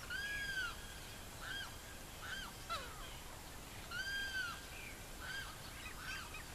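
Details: Savanna hawk (Buteogallus meridionalis) in Barinas, Venezuela, giving two drawn-out, arched screaming calls about three and a half seconds apart, with shorter clipped notes between and faint background birds.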